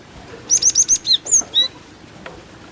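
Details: A female cinereous tit calling to lure birds gives about seven high, clear chirps in a brisk row. The last notes slide downward.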